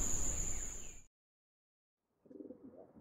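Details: After a burst of loud hiss and a silent gap, a pigeon gives a short, low, throaty burbling coo lasting under a second.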